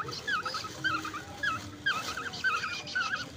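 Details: Nestling orioles and koels kept at home, fed grasshoppers at night; squeaky, wavering chirps in quick uneven runs, roughly twice a second, over a hushed room as someone urges them to open wide.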